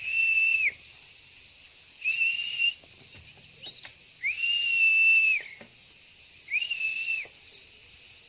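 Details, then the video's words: White-eye female call, known as pleci lure sound, used to provoke males to reply and sing, in front of a house: four long flat whistles with rising starts and falling ends, interspersed with faint high twitters, over steady high hiss. "SUARA PANCINGAN Burung PLECI"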